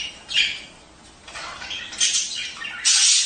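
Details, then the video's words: Budgerigar mating calls, played to encourage pairs to breed and lay eggs quickly: scratchy high squawks and warbled chirps in several separate bursts, with short quiet gaps between them. "أفضل مقطع لتزاوج طيور البادجي دع أزواج البادجي تستمع لهذه الاصوات كي تبيض بسرعة"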